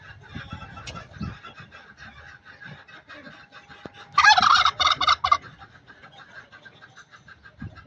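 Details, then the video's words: An angry, aggressive turkey, possibly a hen, in Buner, Khyber Pakhtunkhwa, Pakistan, gives a loud, harsh burst of rapid gobbling notes lasting about a second, after quieter background clucking and rustling. "Angry Turkey bird 🦃🦃 angry turkey sounds!"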